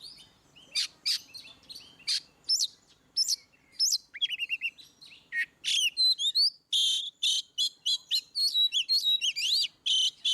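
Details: Oriental magpie-robin's ngeplong song, used to get rarely singing birds to respond: spaced buzzy notes, a rapid trill, then an accelerating string of loud rasping bursts mixed with twisting whistles, roughly three per second.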